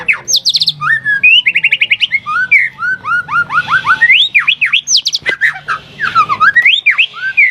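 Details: White-rumped shama song used as a lure to provoke caged birds into singing: rich, fast varied phrases of whistles, rapid trilled series and sharp rising and falling notes, nearly continuous with brief pauses.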